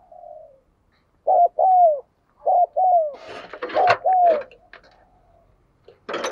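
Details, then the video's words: Cooing decoy spotted dove, recorded in 2022: a soft hoot, then repeated phrases of a short low coo followed by a longer falling coo, interrupted by rattling, clattering knocks midway and a loud rustle at the end. "Chim Cu Mồi/ cu gay kich boi nhanh noi gù"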